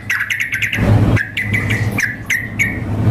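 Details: Sooty-headed bulbul female calling a male alongside a lively male, contest simulation: a quick run of short sharp chirps, then several separate down-slurred notes, backed by a constant low droning hum.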